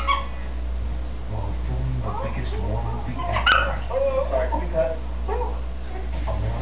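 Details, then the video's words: Pet green-winged macaw, a female, chattering alone in a room, believing no one is there; scattered short speech-like syllables with a sharper tonal note in the middle, under constant low electrical hum. "Green Wing Macaw Talks up a storm"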